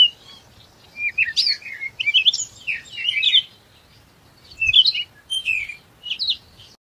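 A chickadee gives two bursts of high, chattering, slightly buzzy notes, each lasting about two seconds with a short pause between. No other sounds stand out.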